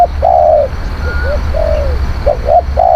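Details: A spotted dove decoy song: a sustained, falling coo, then small soft notes and another drawn-out coo, ending with a paired short note before the next long one.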